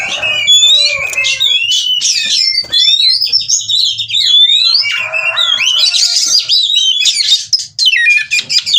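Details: Oriental magpie-robin in breeding condition and displaying, from Cirebon: long sequence of looping, siren-like whistles and arching slurs mixed with scratchy chatter. Quiet low hum and knocks sit in the background.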